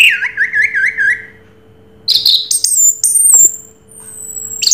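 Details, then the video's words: Orange-headed thrush in Raja Teler song, opening with a lower wavering trill of five looping notes, then thin, very high drawn-out whistles and quick clicks. "Suara Burung Raja Teler Anis Merah"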